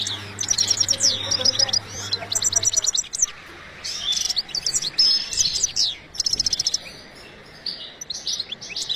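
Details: European goldfinch in a breeding cage giving short bursts of sharp, metallic twitters and buzzy trills separated by brief gaps; a low hum is heard at the start.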